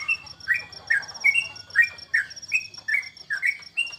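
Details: Caged yellow-vented bulbul in a bird-singing contest setting, kept at home during the corona period, giving short bubbly whistled phrases that slide down, repeated about every half second, with a steady high thin tone throughout.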